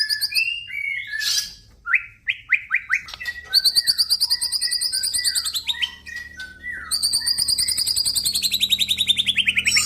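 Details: White-rumped shama male, F series crossbreed, mixing quick descending whistles with long, very high buzzy trills that repeat rapidly and slide slowly downward.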